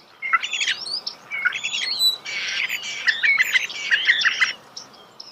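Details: Starling song recorded close in nature: rapid chattering phrases mixed with thin whistles and clicks, over a low background hiss.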